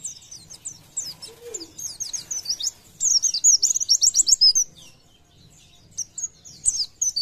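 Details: Oriental white-eye singing in the fast, chattery gacor nembak style, used to make other white-eyes sing more: bursts of high, thin twittering notes with quick downslurred chips, a dense rapid run near the middle, then brief pauses and scattered chirps.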